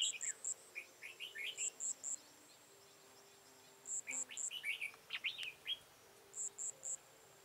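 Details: Red-whiskered bulbul used as a decoy while trapping, recorded 13 October 2018: short warbled, slurred phrases in quick bursts, with a high, evenly spaced ticking running alongside through a quiet background.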